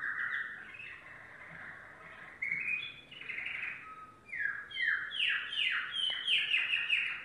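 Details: Yellow domestic canary in song: warbled trills and a short flat whistle, then a series of loud sweeping downslurred notes repeated roughly every half second.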